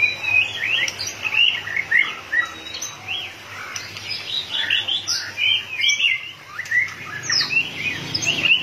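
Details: Continuous varied song of a fired-up white-rumped shama flicking its tail like a machine: fluting whistles mixed with rapid twitters and harsher notes, rising and falling in close-packed phrases.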